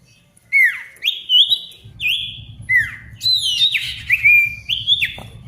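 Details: Energetic Ashy Tailorbird song, played to get silent tailorbirds singing again. Ringing whistles swoop down, then hold level, repeated in quick phrases with a faint low hum underneath.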